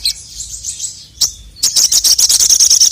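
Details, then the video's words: Male crested jay provoking rivals: a faint high buzzy note and one sharp chip, then a loud, steady volley of about twelve piercing, very high, evenly spaced notes delivered in quick succession. "SOGON MANAPUN NGMAUK GACOR langsung emosi dengar masteran suara burung sogon jantan ini"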